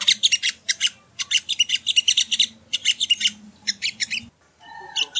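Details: Ruby-cheeked sunbird (sogon, sogo ontong) song used as masteran training audio: rapid bursts of high, sharp chirps and trills in dense clusters, a brief pause near the end, then more high notes with a faint low hum beneath.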